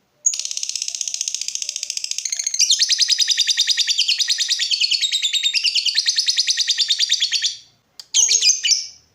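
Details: Lovebird in full chatter, a master-song bird used to provoke other lovebirds: a long, unbroken trill of rapid high buzzy notes that grows louder after two seconds, runs for about seven seconds, then stops and ends in a short squeaky burst.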